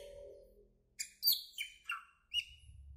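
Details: Asian glossy starling, a greenish black bird, giving a quick chattering string of five buzzy, descending chirps and squeaks within a second and a half, after a soft low hum.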